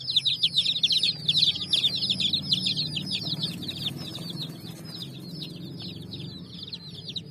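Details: Baby chicks with a hen on raw bricks chirp loudly at first in quick shrill peeps, the chorus thinning and fading after a few seconds above a steady low hum.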